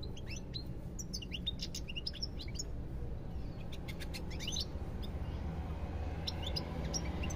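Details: Goldfinch song with a lively twittering phrase of quick high chirps, a second burst in the middle, then quieter scattered notes, over low steady background noise.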